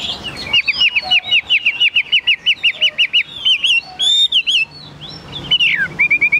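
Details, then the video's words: Chinese hwamei kept as a cage bird, singing high: a long string of identical looped whistles repeated about four times a second, then higher ringing notes and a brief pause before renewed whistling. "Họa mi dáng ngũ trường, bóng bộ cực đẹp, hót cao cầu"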